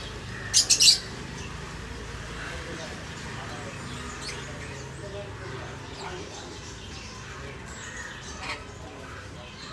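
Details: A sun conure (Aratinga solstitialis) gives a quick burst of harsh, shrill screeches, then falls quiet against faint room noise.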